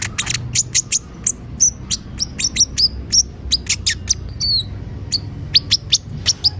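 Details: Van Hasselt's sunbird in active song: a long, steady series of very high, sharp chirps, roughly four per second, with occasional short down-slurred whistles, over faint low background noise.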